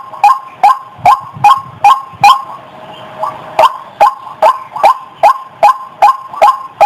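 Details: Ruak-ruak lure calls meant to draw white-breasted waterhens from bushes: regular harsh croaks about two and a half per second, a short pause after the first six, then the series resumes steadily.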